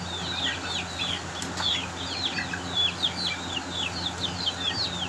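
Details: Fighting Aseel chicks give rapid, high-pitched descending cheeps, many short notes in close succession from more than one chick, with a faint click near the middle and a constant low hum beneath.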